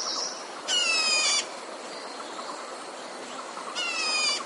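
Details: Decoy red-whiskered bulbul used for trapping gives two harsh, buzzy, rasping calls about three seconds apart, each under a second long, with a faint high whistle between them.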